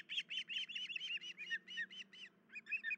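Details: Osprey at a nest with chicks, early morning on 10 July 2019, one adult injured in the leg: eleven rapid piercing chirps, a short pause, then three more, with a constant low hum beneath.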